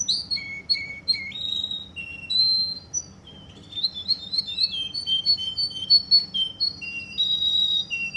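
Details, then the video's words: Russian canary from Kuwait with varied song: descending whistles, a brief lull, then dense warbling and repeated chirps rising and falling in steady succession. "Russian canary"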